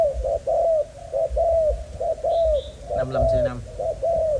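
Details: Young male spotted dove, Malaysian line, lively despite a broken wing, gives a steady series of soft hooting coos about every half second; a man speaks briefly near the end and faint chirps sound above.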